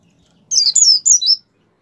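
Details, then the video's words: Brief white-eye 'gacor' phrase of four quick, sharp, high whistled notes sliding downward, under one second long. The song is meant to stimulate caged white-eyes to sing. "suara pleci gacor pendongkrak mampu membuat pleci buka paruh"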